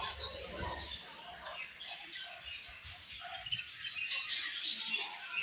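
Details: Australian budgies chirp softly in high, scratchy warbles, with a few mellow lower notes in the middle and a brighter, louder burst of chatter near the end.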